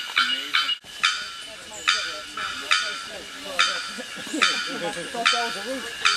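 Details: Bearded bellbird (Procnias averano) at Asa Wright Nature Centre, Trinidad, gives loud, harsh, clanging 'bock' notes, one every second or so, over softer warbling and whistling from other birds.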